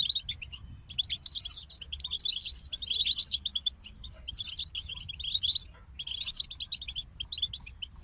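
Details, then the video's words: A group of European goldfinches singing: fast, liquid twittering bursts of high notes and trills, with dense phrases around one to three and five to six seconds separated by short gaps, over a faint low hum. "King of Songbirds Goldfinch Group"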